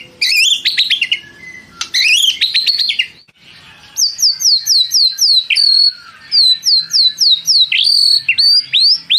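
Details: White-rumped shama singing vigorously in long bursts: rich clustered chattering notes, then a steady series of clear, high, downslurred whistles repeated roughly twice per second, with brief pauses.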